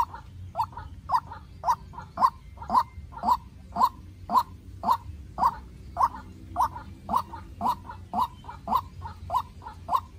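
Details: White-breasted waterhen, a young captive decoy bird, calling in a tense contest with a wild bird. It gives a steady run of short, clipped notes, nearly two per second, with a faint low rumble behind.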